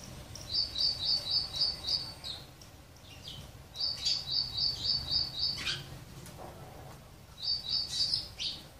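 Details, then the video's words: Sparrows at a home water and food feeder give bursts of rapid, high, repeated chirps, about six notes per run, with pauses between bursts and a few softer scattered calls. "save sparrow birds, lovely birds enjoying water and food feeder in my home"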